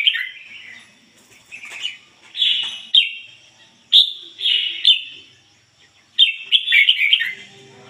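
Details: Red-whiskered bulbul decoy bird delivers ngoi bổi song, a string of short, bright, slurred phrases repeated about every second or so, each loud at the start and fading, with a faint low hum near the end.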